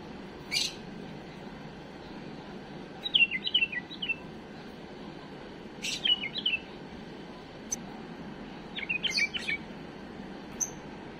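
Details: Pet bulbul gives a flawless song used to train chicks: three separate short warbled phrases of fluttering whistled notes, spaced a few seconds apart, each led by a sharp burst, with constant low hiss behind.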